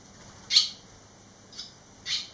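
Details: Barn swallow fledglings, eleven days after leaving the nest, three young birds returned; three short, high, sharp chirps spaced irregularly across about two seconds, the first loudest, over a quiet background.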